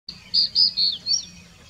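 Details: Crested bunting singing in the Aravali hills of Rajasthan, India: a short phrase of four bright, high notes, the middle ones sustained, ending in a quick rising flourish, over a faint low hum.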